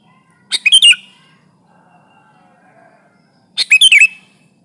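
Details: Sooty-headed bulbul used as a trapping lure, sung to press a rival: two bright chirpy phrases about three seconds apart, each a quick cluster of sharp notes with a falling whistled tail, in a quiet background.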